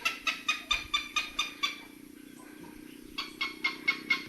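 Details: Mating call of a heron in the Philippines, a run of sharp, raspy pulses about two per second that stops briefly, then resumes, over a low steady hum.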